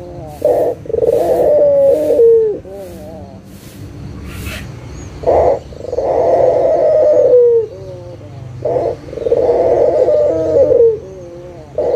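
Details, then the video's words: Puter dove, a local Indonesian bird, calling as a lure for quiet doves: repeated two-part phrases, a clipped opening note then a drawn-out purring coo ending in a downward slide, with soft clicks between. "SUARA PIKAT PUTER LOKAL GACOR_SUARA PANCINGAN BURUNG PUTER MALAS BUNYI AGAR BUNYI LAGI"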